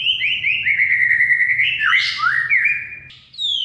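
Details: Oriental magpie-robin song used to stir a silent caged bird: a run of repeated clear whistles, a harsh buzzy burst, then dipping slurred notes and a final high whistle.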